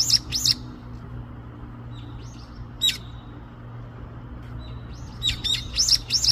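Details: Small bird said to be talking with its friends: bursts of high thin chirps and tweets at the start and end, a few isolated short whistles in between, over a steady low hum.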